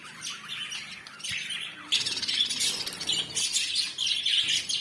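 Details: Lovebirds, described as a South African bird, chattering in dense bursts of high, squeaky chirps and short squawks that overlap and swell in loudness after the first two seconds, with several birds calling at once.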